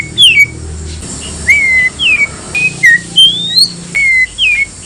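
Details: White-rumped shama song used to provoke other shamas into answering: a series of short, clear whistles, some rising, others falling, with brief gaps between phrases and a faint low rumble behind.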